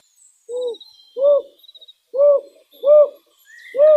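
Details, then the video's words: Wild owl in a night forest giving short, mellow, mid-pitched hoots, four evenly spaced across a few seconds, with faint thin high whistles in the background. "Як звучить сова в дикій природі"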